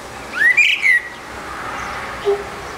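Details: Eurasian blackbird singing alone on a rooftop: a short whistled phrase of rising and falling notes, one brief high twitter, then a soft low note after a pause, over steady background hiss.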